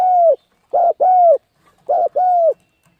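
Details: Cu gáy, the spotted dove, coos in 'thúc gù' fashion for luring birds and training young ones: a long note, then two clean short-long pairs of low, hollow coos with brief pauses.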